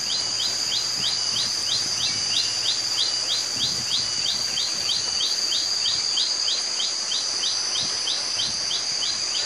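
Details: A wild Common Tailorbird in West Java forest, possibly one of a family of three or four in low trees such as cassava, gives short, sharp chirps about three times a second, steady and even, over a constant high insect drone.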